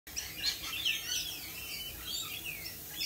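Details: Lorikeets in a busy, overlapping chorus of high, shrill chirps and short screeches, continuous across the clip with no quiet gaps, over a low background hum.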